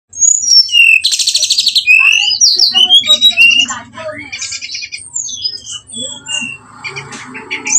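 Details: Brown-chested jungle flycatcher lure song meant to provoke fighting: a dense, varied run of high whistled slurs, a buzzy rattling burst and quick trills, with notes tumbling continuously, then softer scattered chirps toward the end.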